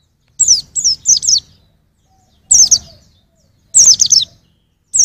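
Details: White-eye song for training caged songbirds: short phrases of three or four fast, high, falling whistled notes, repeated roughly every one to two seconds, with a faint low hum in the background.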